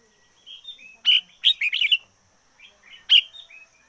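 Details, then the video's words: Decoy red-whiskered bulbul in full song, giving quick bright whistled notes, a rapid bubbling warble in the middle, then another sharp whistled phrase, over a faint constant high tone. "Chim chào mào mồi hót căng lửa nhất 2021. Noog diab qhuaj zoo heev 2021"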